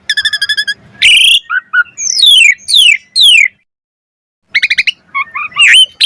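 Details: Jalak suren, the Asian pied starling, singing a varied lure song: a rapid rattling trill, buzzy bursts, falling whistled slurs, a pause, then chattering and squeaky notes.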